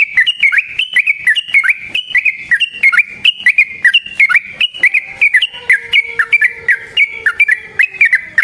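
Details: Yellow-vented bulbul, long rolling 'ropel' lure song: lively, unbroken sequence of bubbling two-tone phrases, each note falling then jumping back up, loud and clear throughout.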